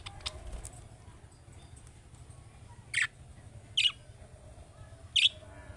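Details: Young budgerigar-style calling meant to prompt a caged budgerigar to respond: three sharp, scratchy chirps about a second apart in the second half, with faint ticks earlier and a low background hum.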